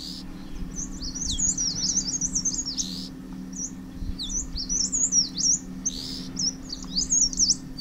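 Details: Grey bushchat (Saxicola ferreus) at a nest in wild daisies at a botanical garden in Landour-Mussoorie, Uttarakhand, where the female brings a caterpillar to her chicks. Rapid, squeaky, high twittering notes come in busy runs over a steady low hum.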